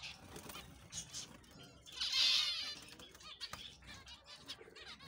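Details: A colony of finches calling together: overlapping thin, high chirps and twitters, with a louder, brighter burst of rapid chatter just past two seconds, over a low background hum.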